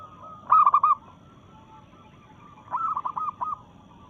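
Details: A local zebra dove in breeding mood, singing to challenge rivals, gives two brief, bubbling phrases of quick coos about two seconds apart, the second softer.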